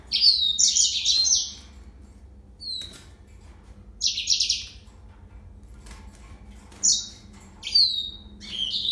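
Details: Scattered short song phrases of a yellow-fronted canary: brief bright trills and single whistled notes spaced by several seconds of near silence.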